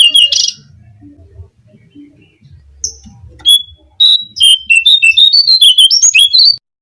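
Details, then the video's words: Brown-cheeked fulvetta song used to attract birds for trapping: after a few scattered notes and quiet background rumble, a quick burst of bright, slurred whistles rising and falling. "suara pancingan burung jongkangan (cingcoang coklat)"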